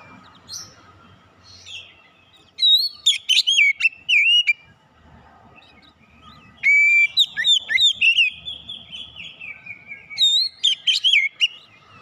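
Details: Oriental magpie-robin of fighter character, played as training therapy for a young bird: long loud bouts of rapid varied whistles, upslurs and sharp clicks, separated by short quiet pauses.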